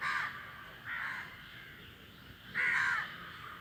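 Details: A flock of crows calling while flying. Three harsh, hoarse caws, each about half a second long, are spaced roughly a second apart over a faint steady background hiss.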